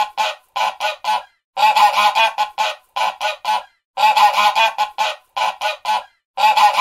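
A goose gives loud, harsh, nasal honks in bursts: three quick honks, then a longer stuttering run, repeating about every two and a half seconds.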